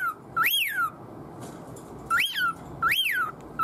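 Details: Pet cockatiel whistling to draw its owner's attention: three bright, arched whistles that sweep up and fall away, the first alone, the last two close together after a pause, over faint room hum.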